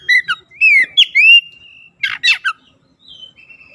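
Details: Lure song of an Oriental magpie-robin meant to stir a silent, sluggish bird into full song: clear whistles and upslurred notes, a long steady whistle, harsh scratchy bursts, then a faint high trailing whistle.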